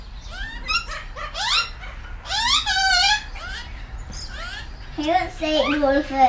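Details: Wild Australian magpies, adults with a noisy juvenile, being fed mince in a backyard in the morning: loud, harmonic-rich calls sweeping up and down, several in quick succession, then a person speaking close by.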